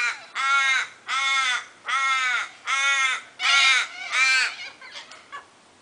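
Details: On a summer morning, one of a flock of corellas (long-billed or short-billed, owner unsure) eating olives in yard trees gives six harsh, grating screeches, each about half a second long, roughly one every three-quarters of a second.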